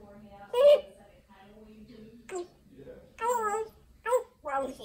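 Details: Pet talking parrot, a female, possibly an African grey, indoors in a small room, producing speech-like phrases with bright harmonic syllables and pauses between them.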